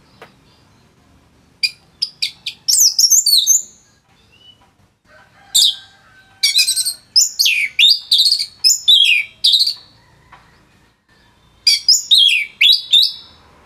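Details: Orange-headed thrush in varied, energetic song, recorded in Bali for tutoring songbirds: repeated bursts of high whistles, rattling notes and down-slurs come in several phrases over nearly fourteen seconds.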